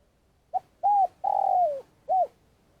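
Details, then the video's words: Spotted dove from Vietnam, a decoy bird used to lure wild doves into traps, giving long calling: a soft short note, a clear coo, a long sliding crooning note falling at the end, then a final coo. "Cu gáy mồi cây - gáy gọi dài"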